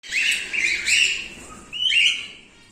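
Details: Silver male cockatiel giving three loud, rising whistled calls with buzzy harmonics, each about half a second long, the last call following a short pause; no other clear sounds.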